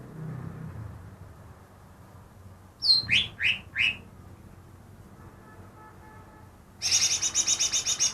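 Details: Greater green leafbird, caught two days earlier, said to mimic ten other bird species: four sharp downslurred notes, a pause, then a fast buzzy rattle of about eleven harsh notes, with a faint low hum behind.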